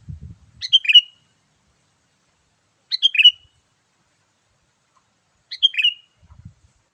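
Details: Sooty-headed bulbul lure call, a lively 'gacor' sound played to attract wild birds: a short bubbly phrase of quick chirping notes, sung three times about every two and a half seconds, with faint low thumps at the start and end.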